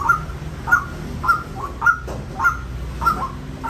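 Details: White-breasted waterhen calling with short rising notes near the upper-middle register, repeated roughly every half second to just over; a low background hum runs underneath.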